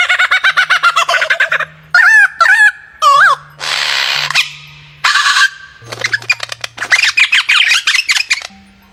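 A lyrebird strings together varied mimicked sounds: fast stuttering harmonic notes, swooping warbled whistles and harsh mechanical bursts, with a faint low hum underneath.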